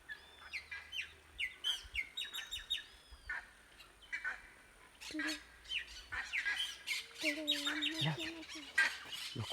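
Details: A pair of plumbeous ibises flies past at sunset at Laguna General Díaz, Alto Paraguay, humid Chaco palm savanna, 7 December 2020, giving loud, harsh honking calls among higher chirps of other birds, with people talking.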